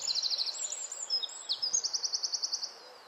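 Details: Wren singing in nesting season, probably to its mate: high rapid trill, a few squeaky sliding notes, then another even, rattling trill of about a dozen notes, over a noisy background.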